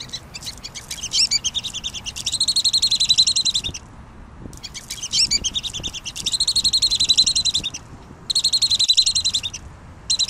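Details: Pygmy nuthatch singing in bursts of rapid, evenly repeated high piping notes, each burst lasting about two seconds and separated by short pauses, with a quiet background.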